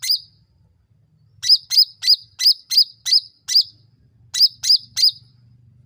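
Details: Sooty-headed bulbul lure recording for provoking other birds to respond fast: repeated piercing, high, down-slurred chirps, a burst of seven then three, spaced about a third of a second apart over a faint low rumble.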